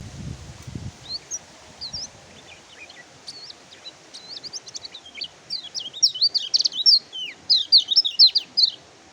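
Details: Oriental white-eye song: high, thin twittering chirps and quick slurred whistles that start sparse and faint, then grow into a dense, louder rapid chatter in the last third, with a soft low thump at the start.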